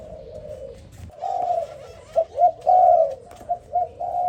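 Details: Morning calling of a spotted dove: throaty, hollow coos, one soft drawn-out note followed by a quicker run of louder, choppy cooing notes, with quiet background.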